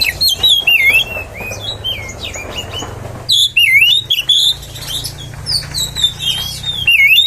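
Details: Oriental magpie-robin song for provoking other magpie-robins: continuous varied whistling, looping downward and upward slurs and sharp chips. After a short pause it resumes with bright whistles over a faint low hum.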